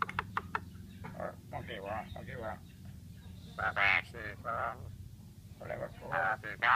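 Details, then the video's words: Human voice imitation by an Asian pied starling: bursts of speech-like, wavering harmonic syllables in phrases of about half a second, separated by brief pauses, with a faint low rumble underneath. "Jalak suren gacor Unik meniru suara orang"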